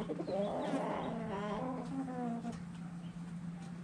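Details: Chickens and roosters dirt bathing, with a hen giving drawn-out, tonal, purring clucks for about two and a half seconds, then quieter, over a constant low background hum.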